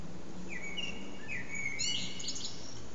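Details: A blackbird perched on an antenna sings almost three hours with only short breaks; clear whistled phrases flow into a higher, twittering ending, set over a low hum of background noise.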